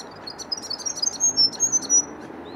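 A grey fantail sings a thin, high, squeaky run of quick chirps and short whistled notes, several each second, over a faint background hiss.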